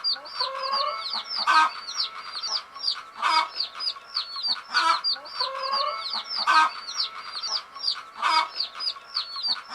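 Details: Many hen chicks, described as sleeping, peep in a dense, shrill chorus, arched chirps running together, punctuated by stronger harsh bursts roughly every one to two seconds.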